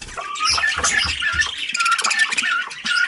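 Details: Pair of pet cockatiels visiting together: dense, busy chatter of short whistled chirps and scratchy notes, over light tapping and rustling sounds.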